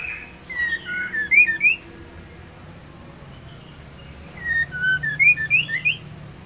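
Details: Two lively bursts of whistling from a white-rumped shama hen, each a rapid series of falling then rising clear notes, used to rouse males into singing.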